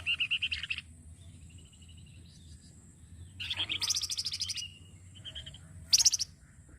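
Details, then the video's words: Flamboyan master song for songbird training: a brisk high trill, soft thin whistles, then a long rapid chattering rattle sliding higher, a short twitter, and a final burst of very high piercing notes. "KICAU APIK UNIK DARI BURUNG MASTERAN FLAMBOYAN"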